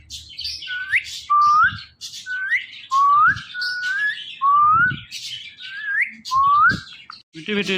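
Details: Pet parrot whistles a rising two-part phrase about eight times, roughly every second, mixed with harsh broadband chatter, ending in a raspy squawk.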